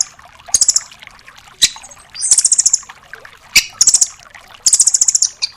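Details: Nuthatch known locally as rambatan doraemon, recorded as a master song for tutoring songbirds such as magpie-robins; shrill, high rapid trills in short bursts of about six notes, with sharp single chips between bursts.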